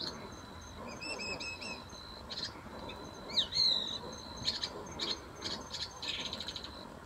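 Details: Long-tailed shrike in a wetland imitating the calls of various other birds: a quick medley of high chirps, short whistled slurs and scratchy buzzy bursts in uneven runs, over a steady high insect-like hum and faint background noise.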